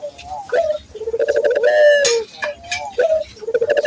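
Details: Barbary dove cooing as a training lure for local doves: several throaty, rolling coos in close succession, some with a clicky start, one long sustained note in the middle, and low faint background rumble.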